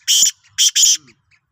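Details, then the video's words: Black francolin (Sindhi kala teetar), 16/03/2023: three loud, harsh, rasping notes, the last two close together, with only faint background sound. "Kala Teetar ki Awaz"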